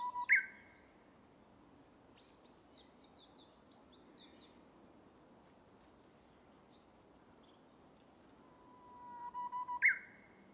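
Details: A Japanese bush warbler (uguisu) in a bamboo forest gives its hoo-hokekyo song twice: a long steady whistle, then a sudden leap into a quick falling flourish, with faint chirps of other birds between.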